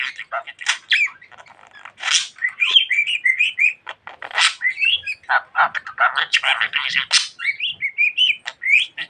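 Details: Pet budgie that talks a lot, giving a continuous stream of quick chirps, rasping syllables and short wavering whistles in an uneven, rapid rhythm.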